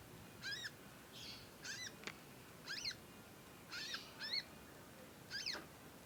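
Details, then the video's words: Young conin practising its song, uttering bright, slurred harmonic chirps at uneven intervals, some doubled, with a couple of sharp clicks and soft rushing sounds. "ANAKAN CONIN, NYECET PANJANG BELAJAR BUNYI & GACOR"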